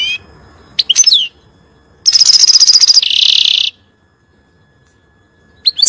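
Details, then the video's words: European goldfinch song for teaching chicks, 'nar' style: scattered thin high chirps, then a loud metallic rattle of rapid repeated notes flowing into a harsh buzzy trill, followed by quiet and a final chirp. "تغريد طائر الحسون نار لتعليم الفراخ"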